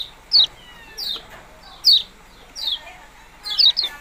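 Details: Yellow-bellied prinia calling with crisp, high, down-slurred chirps roughly every seven-tenths of a second, ending in a quick double note.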